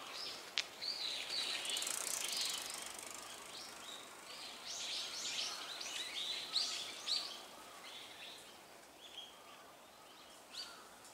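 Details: Flock of azure-winged magpies calling: repeated harsh, rasping chattering notes from several birds overlapping in a busy stream, fading toward the end, with a constant hiss of background noise.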